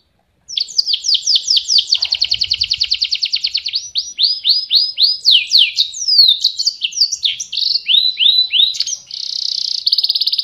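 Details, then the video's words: Canary (Serinus canaria) in full, long song used to tutor other songbirds: dense series of quick falling whistles, a long even rolling trill, varied swept phrases, ending in a bright rapid buzz-like trill. "Suara Kicau Blacken Gacor vs Kenari gacor panjang"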